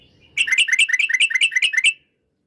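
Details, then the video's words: Yellow-vented bulbul (trucukan) song said to provoke rival birds: a quick bubbly burst of about nine chirping notes, each dipping and rising, delivered in under two seconds against a quiet background. "Suara Trucukan bikin emosi lawan"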